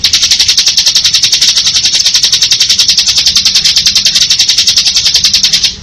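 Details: Bar-winged prinia (ciblek) delivering a ngebren song: an unbroken, very rapid, high buzzy trill of evenly spaced notes running for almost six seconds, steady in loudness, with no other clear sounds.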